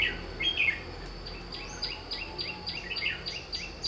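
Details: Red-whiskered bulbul recorded during trapping with a lure bird: a loud warbled phrase opens, then a run of quick downslurred notes repeated about every quarter second, over a constant high-pitched hum.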